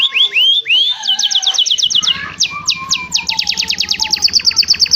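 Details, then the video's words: Canary training song meant to teach other canaries: opens with rising whistled sweeps, then fast, regular, high trill bursts, with a steady low hum underneath from about two seconds onward. "Suara burung kenari GACOR Cengkok Mewah istimewa mantap ‼️ cocok untuk masteran kenari lainnya"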